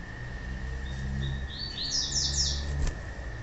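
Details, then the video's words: Female Yellow-bellied Seedeater (papa-capim) giving a call used by breeders to stimulate males to sing for song tournaments: a series of high, thin chirps rising and falling, over a steady whine and low rumbling background noise. "Melhor Piado de Fêmea de Papa capim Para Esquentar Papa capim"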